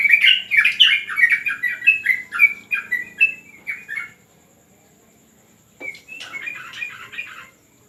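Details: Yellow-vented bulbul in a terrace training session gives a rapid series of bright chirped notes that gradually soften over four seconds, falls quiet, then bursts into a short burst of chatter, over a constant high whine.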